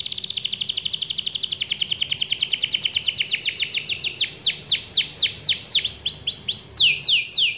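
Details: Canary with a long rolling song meant to prompt other canaries to sing: rapid repeated trills that shift into slower, sweeping downslurred notes, then quick high rattled phrases.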